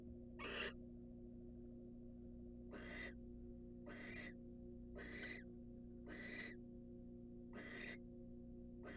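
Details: Wild barn owl returning to incubate in a nest box after a mouse meal: one hiss, a pause, then five harsh breathy bursts roughly a second apart, over constant hum.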